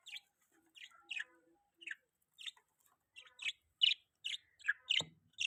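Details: Chirping from a pet budgerigar: short descending chirps spaced about half a second apart, growing louder and more frequent toward the end, with a brief low knock near the close.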